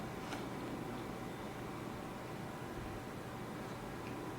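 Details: Low steady hum and hiss with a few faint ticks, and no animal calls.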